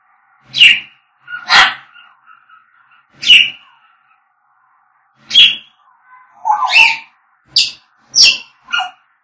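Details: Singing African grey parrots: a series of sharp, harsh, broadband squawks and chattering notes spaced about one second apart, some with brief whistled tones between them, with no other sounds.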